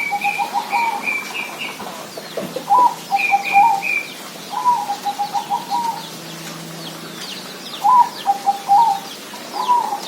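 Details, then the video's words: Zebra dove song: short bursts of rapid, bubbling coos near one pitch, several phrases through the clip, with higher chirping calls from another bird between them. "suara perkutut"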